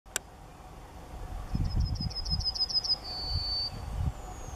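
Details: Yellowhammer singing in June at Myślęcinek, Bydgoszcz, Poland: a quick run of about eight thin, high, repeated notes ending in a drawn-out wheezy tone, over low traffic or wind rumble.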